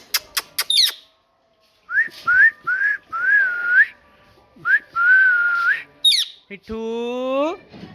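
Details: Parrot described as talking: clicks and a squeaky chirp, then several rising whistled notes and a long wavering whistle, another chirp, and a drawn-out harmonic squawk.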